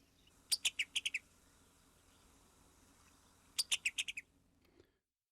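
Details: Summer tanager in summer woods: its distinctive call, two quick bursts of five or six sharp, dry clicking notes like a rapid chatter, separated by a few seconds of quiet; nothing else heard.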